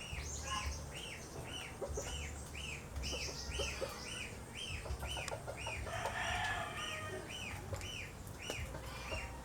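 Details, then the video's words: Asian glossy starling, called Galansiyang in the Philippines, calling in the wild: rapid arched whistles repeated almost twice a second, with thin higher notes above, clicks, and a brief rough burst midway. "Philippine Wild Birds : Galansiyang"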